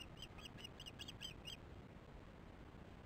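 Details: Osprey alarm at the nest during a disrupted chick feeding, evening of 22 July 2015 at 19:08; six faint, short chirps in quick succession over the first second and a half, then only low background rumble.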